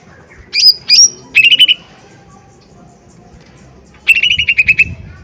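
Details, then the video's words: Loud lure song of a lesser green leafbird, meant to provoke a response: two high clipped whistles, a short stuttering run, a pause of about two seconds, then a fast rattling trill of evenly spaced notes. "Pancingan Cucak Ijo Mini Gacor Full POWER Tembakan keras Mancing Emosi"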